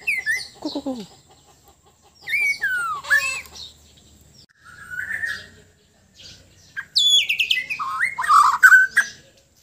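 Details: Sabah white-rumped shama, a Bornean bird, in relaxed song: scattered whistled phrases with slurred descending notes, a brief pause, then a dense burst of sweeping, chattering high notes.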